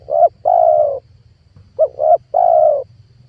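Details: Spotted dove call played to lure wild doves into a trap: two close phrases, each a short hooked coo, a second coo and a long level coo, loud and clear.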